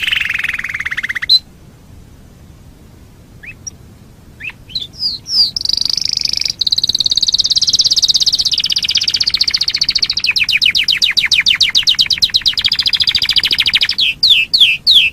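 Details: Canary master song recorded to train other birds: a fast trill, a pause with scattered notes, then long rolling high trills shifting speed and pitch, closing with sharp chips.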